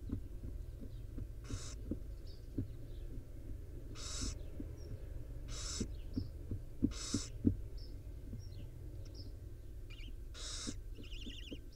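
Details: Barn owl mother preening five owlets in a wild nest box, with four separate harsh hissing screeches spaced a few seconds apart, low humming background, regular soft knocks and faint high chirps.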